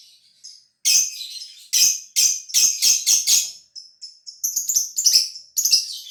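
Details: Caged lovebird from Gresik, East Java, Indonesia, of song-contest quality; a series of sharp, loud high chirps in quick succession, followed by squeaky whistled twitters.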